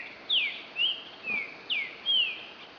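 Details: Green-winged Saltator (Saltator similis) singing its regional "lambada" song on 08/12/2011: a quick phrase of five clear, slurred whistles, some falling and some rising, about two per second, with Pitiguari song in the background over faint hiss.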